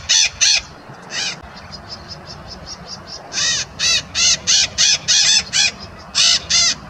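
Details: Two noisy White-eyed Parakeets give harsh, screechy high calls together in bursts, about three per second at peak, over faint background hum from nearby highway traffic, on a rural road during an early-morning birding bike ride in Brazil.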